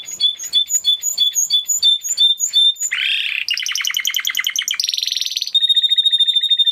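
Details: Spanish Timbrado canary, an original breed close to the wild canary, in varied song: a row of sharp repeated chips, a low rolling warble, then rapid metallic trills changing pitch, ending in a steady high ringing trill.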